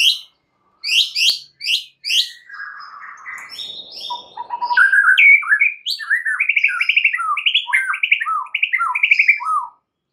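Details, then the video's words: White-rumped shama song meant to provoke rival shamas into singing: four loud sharp upswept notes, a scratchy muttered passage, then a long run of quick, bouncing, rippling phrases repeated several times a second. "PANCINGAN murai paling AMPUH"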